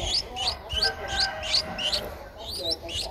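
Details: Twelve-day-old Streak-eared Bulbul nestling in Ubon Ratchathani, Thailand, 14 April 2023, giving thin, upward-flicking high chirps repeated steadily about three times a second, with a faint low hum beneath.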